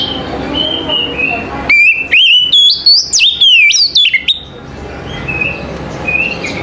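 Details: Morning song of an Oriental magpie-robin, starting with soft whistles, then a loud burst of sharply stepping and sliding whistled notes with clicks for about three seconds, followed by faint calls.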